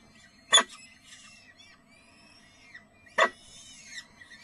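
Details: Peregrine falcon at feeding time in spring gives two short, harsh screeching bursts about two and a half seconds apart, with thin high chirps and whistles from other birds between them.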